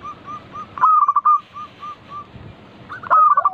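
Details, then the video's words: Local zebra dove used as a lure to make other doves sing: soft, spaced coos lead into a quick staccato burst. Quieter single coos follow, and a second burst begins at the end. "Pancingan burung perkutut lokal gacor"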